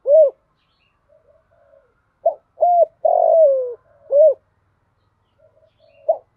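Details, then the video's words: Female spotted dove calling as a decoy for wild males in 'thổ pha' voice with a single ending: arched coos, a long rough sliding note, another coo, with faint low murmurs between phrases. "Tiếng cu gáy mồi gáy gọi kích bổi chuẩn Giọng thổ pha, Cu gáy gáy gọi 1 hậu, giọng hạp bổi"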